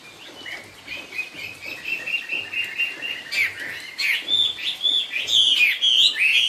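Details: Chinese hwamei of the 'cao cầu' singing style: soft, thin twittering notes that build into louder, clear whistled phrases with rising and falling slurs.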